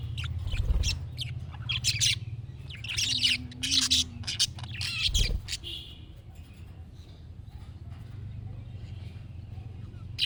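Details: Budgerigar chatter played for a pet budgie to answer: squeaky chirps and warbles for about five seconds, then fading to quiet hum.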